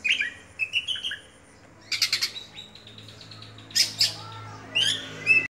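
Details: Kacer Dewa Air oriental magpie-robin kept as a cage bird, singing 'buka-bukaan': soft whistled notes, then spaced bursts of harsh, buzzy chattering.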